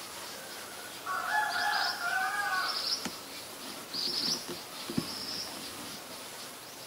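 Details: Black-collared starling recorded in Ubon Ratchathani, Thailand, on 17 April 2022: a drawn-out, harsh, nasal call lasting over a second, with thin high squeaky chirps overlapping it and returning in a short burst a couple of seconds later.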